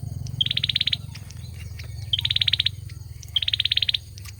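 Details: Male olive-backed sunbird singing three brisk, high, buzzy trills, each led by a bright clipped note and about half a second long. Low hum underneath, with faint ticks between phrases.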